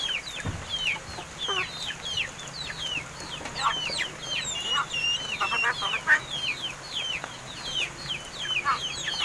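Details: Hand-raised crested mynas, seven months old and newly able to talk, keep up a steady stream of quick downslurred whistles and chattering notes. Overlapping calls suggest several birds, over a low background hum.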